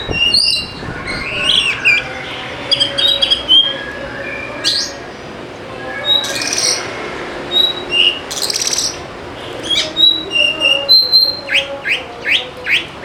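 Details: Oriental magpie-robin song played as a lure to make lazy birds sing: many short whistled phrases, sharp downward sweeps and scratchy bursts, spaced in a quick, uneven rhythm.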